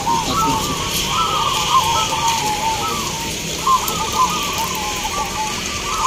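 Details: Caged zebra doves (perkutut) competing at a local song contest in Baratan village, Boyolali, Central Java, Indonesia; many birds coo at once in rolling, bubbling phrases that overlap continuously, with a steady hiss behind.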